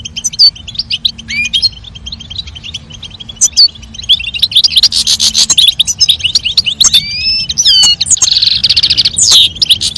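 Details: European goldfinches, a female calling and a male singing to stimulate mating: rapid high twittering with liquid chirps and trills, dense bursts near the middle and end, steady chattering of other birds behind.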